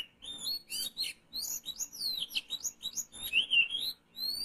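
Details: Oriental magpie-robin sound used to lure birds for trapping: a rapid stream of bright, high whistles, slurred sweeps and chattering chirps, closely packed phrases repeated with brief gaps, with a faint low hum underneath.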